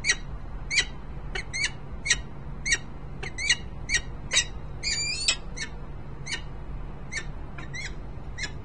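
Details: Peregrine falcons, a male and female, in Harrisburg, Pennsylvania, 10 December 2020: separate sharp chipping calls spaced about half a second apart, a short wavering squeal near the middle, over a quiet low hum.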